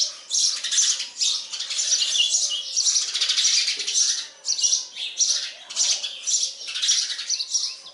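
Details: Sparrow chicks being fed by a parent bird, giving dense, continuous high-pitched squeaky chirps in rapid overlapping bursts, swelling and fading every second or so.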